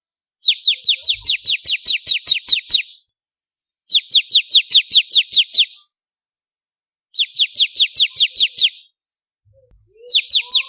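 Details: Bar-winged prinia of the crystal type, singing keenly for contest-bird training, delivers repeated rapid series of sharp descending high chips: one long run of about twelve notes, then two runs of about eight, another beginning at the end.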